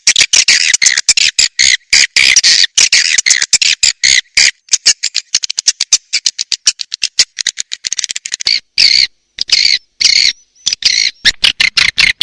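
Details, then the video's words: Swiftlet lure call used to attract swiftlets, a loud played recording of rapid stuttering harsh clicks and chirrs in tight trains, with brief longer buzzy bursts near the end, sharply cut by silent gaps. "SUARA WALET PANGGIL"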